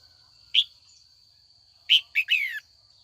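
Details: Trained female red-whiskered bulbul giving afternoon calls that urge old wild-caught males to sing in contest; a lone chirp, a pause, then a chirp, a short note and a buzzy falling slur, steady high hum in background.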